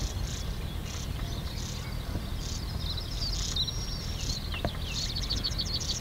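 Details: European stonechat fledglings being fed at NSG Ahsewiesen on 30 May 2019 at 08:35, recorded with a Panasonic Lumix GH5 camera; short high thin calls repeat rapidly in bursts, with a steady low rumble and insect-like hiss behind.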